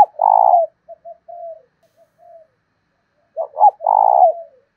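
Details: Lure spotted dove cooing in the 'thổ' voice to stir other doves. A strong, vibrating, low coo is followed by faint short notes and a pause, then two sharp hiccup notes and another long burry coo.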